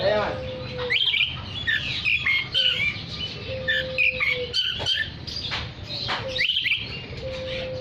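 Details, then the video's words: Oriental magpie-robin singing to call other magpie-robins: varied short whistled slurs and chirps, with repeated level, pure low tones held about a second each, and faint background hum. "Terapi Suara kacer gacor untuk memanggil kacer lain dijamin langsung ikut bunyi"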